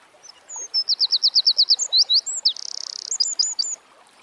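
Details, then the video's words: Singing Eurasian wren in nature: a vigorous high phrase of rapid repeated notes, a dense fast trill, and short bright closing chirps over a soft background hiss. "Birds Singing - Eurasian Wren"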